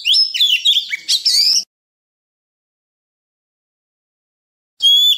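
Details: A wild-style 'forest voice' song of an Oriental magpie-robin, used for training young birds: a rapid, jumbled sequence of sweeping whistled notes, a long quiet gap, then a high clear phrase starting again.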